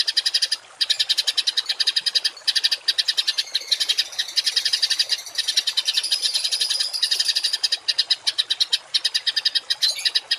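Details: Harsh 'tembakan kasar' masteran singing from a songbird, meant for tutoring household and competition birds: a dense, stuttering stream of rapid grating notes, broken only by a few short pauses.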